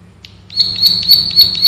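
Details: Ngebren-style song of a male bar-winged prinia, or prenjak sawah, meant for tutoring caged birds: one sharp chip, a pause, then a continuous high, tightly packed trill of rapid shots that rises and falls in loudness.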